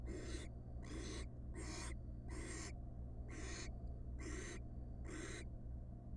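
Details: Nest box of wild barn owls, first night after the first chick hatched, the male delivering a large rat; seven long, rasping, hissing bursts in a steady rhythm, each roughly half a second.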